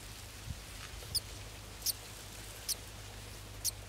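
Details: Baby golden sparrows waiting to be fed give four brief, very high squeaky chirps, spaced unevenly about a second apart, over a low steady hum.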